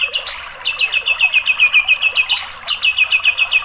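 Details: Song of the white-rumped shama, played to provoke a silent bird into singing. Fast, even rows of bright repeated notes are twice interrupted by a sharp upward-swept note, which then leads back into the rapid series.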